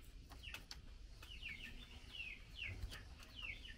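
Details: Female Chinese hwamei, fed mealworms, calls to the male with a handful of separate, sharply falling chirps spaced roughly half a second apart, plus a few soft clicks and low hum.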